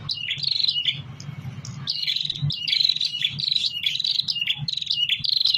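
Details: A tame prinia sings vigorously in rapid, repeated phrases of high, buzzy chirps that dip and rise, about one phrase per half second, with a faint low rumble behind.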